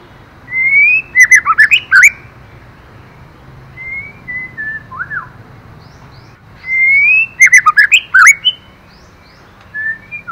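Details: White-rumped shama female stimulating the male, repeating a phrase twice about six seconds apart: rising whistle then a rapid loud cluster of rich warbles, with quieter whistles in between.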